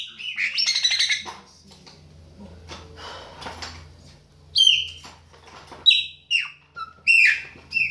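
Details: Chopi blackbird, Baianinho song style: after a harsh, noisy opening and a quieter low hum, clear descending whistled notes come in spaced bursts roughly every half second.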